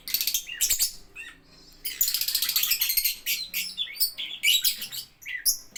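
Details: Lovebird producing long runs of fast, high, buzzy chatter broken by brief pauses and sharp rising squeaks.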